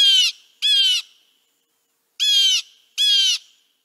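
Blue Jay giving four harsh, nasal jeer calls in two quick pairs, each burst loud and raspy, with a pause between pairs.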